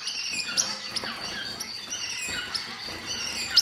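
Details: Star finches at a birdhouse, feeding, recorded in 2010, give thin, high chirps and tweets in busy overlapping chatter. Sharper notes come every half second or so over a steady high hum.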